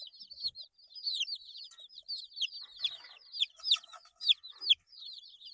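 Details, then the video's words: Eight-day-old baby chicks chirping: a dense chorus of high, downward-slurred peeps from several birds overlapping, with a few louder, sharper cheeps and faint clicks near the end. "Chicks Chirping Sounds - Baby Chicken Sounds"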